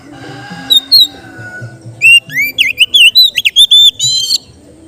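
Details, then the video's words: Oriental magpie-robin, kacer, in calm ngeplong song for training raw birds. Two short whistles sound over a low hum, then a lively two-second volley of loud, zigzagging whistled notes ends in a buzzy flourish. "suara Kacer ngeplong santai cocok untuk terapi kacer bahan"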